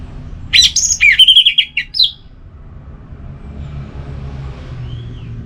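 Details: Orange-headed thrush giving relaxed song, used to spur kept birds that have gone quiet: a quick tumbling phrase of high, sharp whistles and trills lasting under two seconds, followed by quiet background hum.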